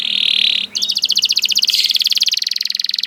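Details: Canary delivering a harsh buzzy note followed by a very fast, rattling trill of high metallic pulses held for over two seconds.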